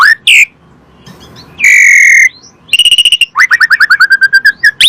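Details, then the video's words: Asian pied starling song played as a lure to prompt kept birds to sing: loud varied phrases of whistles, a long buzzy harsh note, then rapid repeated chattering notes dropping in pitch. "PANCINGAN SUARA BURUNG JALAK SUREN"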